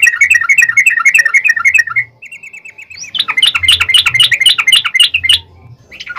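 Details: Yellow-vented bulbul fighting song meant to provoke answering birds; dense chattering notes, then a thin, even trill, followed by a busier burst of rapid scratchy chirps and a final short note.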